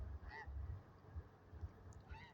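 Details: Goose flying over a beach at night, around quarter to one, a long-necked bird in flight; two faint nasal honks roughly two seconds apart, each with a short rising-falling bend, over a steady low rumble.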